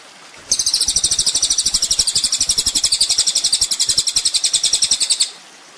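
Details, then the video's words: Sunbird (kolibri ninja) master recording used to train songbirds: a dense, fast, high-pitched trill of rapid repeated notes lasting about five seconds, steady and loud throughout. "masteran mewah full isian kolibri ninja bikin burung emosi"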